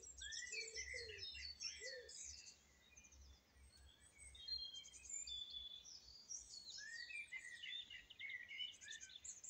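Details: Singing song thrush delivering quick bursts of repeated whistled and twittering notes, a brief lull midway, then more rapid phrases, over a low hum of background noise.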